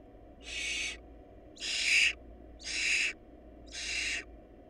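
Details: Barn owl nestlings from a family lacking food give four loud, noisy hissing screeches, each over half a second long and a little over a second apart. A low hum continues throughout.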